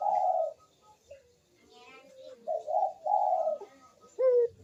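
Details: Lure cooing of a Barbary dove for birds reluctant to call: a mellow opening coo, soft low murmuring, a run of three rounded coos, then a short sharp rising note.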